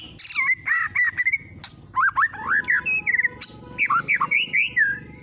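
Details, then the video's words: Lure song of a white-rumped shama, played to push a shama into singing its full repertoire: rich, varied whistled phrases with swooping, warbled notes in quick bursts, some sharp high ticks between them, and a faint low hum. "PANCINGAN MURAI BATU TERDASYAT"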